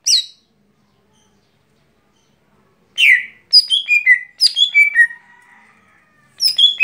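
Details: Daily song of a lesser green leafbird. A brief note opens, then after a silence come a rising sweep and two descending runs of ringing whistled notes. A faint low tone trails the second run.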